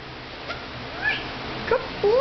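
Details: A pet male Meyer's parrot, dancing to "Take Me Out to the Ball Game", makes a few soft chirps, then two rising whistled notes, the last a long upward slide, over a low steady hum.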